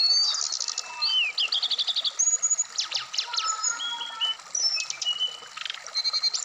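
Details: Caged Black-throated laughingthrush placed out in the morning dew, delivering a lively mix of fast repeated chips, clear whistled notes and short rattling bursts, varied from phrase to phrase, over a steady low background hiss.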